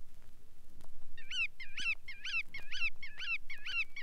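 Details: Bar-tailed Godwit calling: after a second of quiet, a run of six nasal, harmonic-rich notes, each bending up then down, repeated about three per second, with faint low background rumble.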